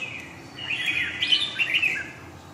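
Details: Red-whiskered bulbul singing a long-voiced Huế-style song: a brief run of bright, warbled, chattering phrases around the middle, over a steady low background hiss.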